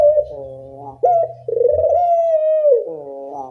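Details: Barbary dove coo from a loud training lure: a falling harmonic note, a short rising snap, then a long sustained, gently undulating tone lasting over a second before sliding downward.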